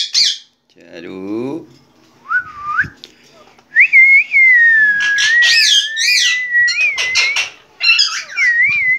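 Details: A tame green Indian ringneck parakeet indoors gives short rising whistles, a long wavering whistled note, and bursts of harsh, speech-like chatter.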